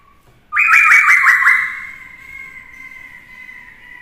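A Black-throated laughingthrush sings a loud, rich whistle: a quick warbled flourish of five or six notes, then a long, steady held tone that slowly fades.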